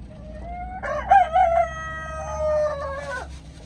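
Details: Chicken delivering a long crow of about two and a half seconds, with a bumpy, pulsing opening followed by a steady drawn-out tone that drops sharply at the end. A low hum runs beneath.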